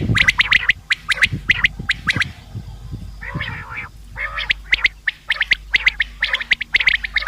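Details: Common quail, a sound meant for hunting: fast clipped three-note phrases repeated steadily, broken in the middle by a brief softer, burry sound before the sharp triplets resume.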